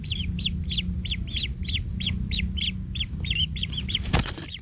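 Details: Young kingfisher in the nest after being trampled by its parent: a run of harsh, arched chirps about three a second, ending in a sharp click and a few last notes.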